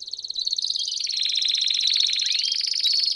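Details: Canary in campainha song with chirps, a training recording for young canaries: a continuous rapid, even bell-like trill that holds steady and then swells slightly, with a brief upslurred whistle near the end.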